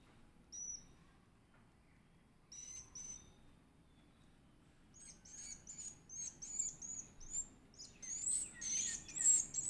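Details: Edible-nest swiftlet chick begging while being fed: a few thin, high chirps early on, then from midway a dense run of sharp, buzzy, high-pitched squeaks repeated about twice a second, growing louder toward the end.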